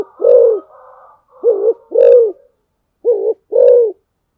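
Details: Low, mellow coos from a spotted dove used to lure others, delivered as paired notes, a short wavering coo then a fuller sustained one, with a faint higher hum in the background.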